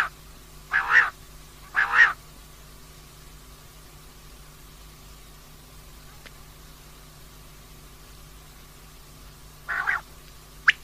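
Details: Female common quail calling: three short, husky double-pulsed notes, two a second apart at the start and one near the end, separated by long quiet gaps with a faint steady hum.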